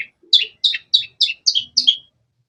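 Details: Sharp, melodious chirps from a long-tailed shrike: six quick, rich two-part notes repeated about every quarter second, the last drawn out and falling.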